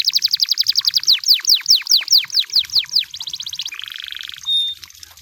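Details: Canary song in the wild: a long series of loud downslurred whistled notes, about three per second, speeding into a fast trill, then a buzzy roll and one short pure note.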